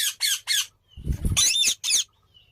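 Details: Three hoarse squawks from a green parrot, then a low rustling thump and a louder, rasping cry and a final shrill squawk.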